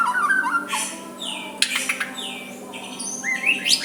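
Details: White-rumped shama soft song meant to prompt a rival's reply: scattered whistled slurs and sharp high chips with pauses, set against a steady hum and background noise.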